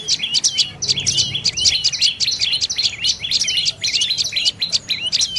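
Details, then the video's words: Dark-necked tailorbird producing a busy stream of shrill chip notes, rapid and rhythmic, some notes sliding slightly downward, over quiet background noise. "เสียงนกกระจิบคอดำDark necked Tailorbird Sounds"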